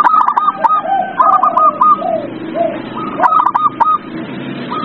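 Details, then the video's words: Zebra dove song meant to coax a silent dove into singing: continuous phrases of staccato, rolling high coos alternating with lower soft hooting notes, steady hiss underneath. "Pancingan perkutut paling ampuh | perkutut males bunyi"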